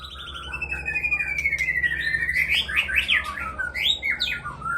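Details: White-rumped shama from Aceh singing in the evening: a long sliding whistle that falls slowly, then a run of rapid, looping, rising and falling phrases.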